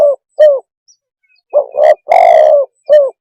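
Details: Spotted dove's mellow low coos: two brief coos, a pause, then a stuttered double coo, a long falling croo and a final short coo, loud and clean.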